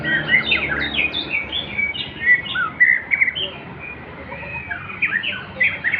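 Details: White-rumped shama, a male, in Klewer-style song, delivering rich whistles, slurred rising notes and chattering warbles in quick bursts, with a brief quieter pause mid-way before the lively phrases resume.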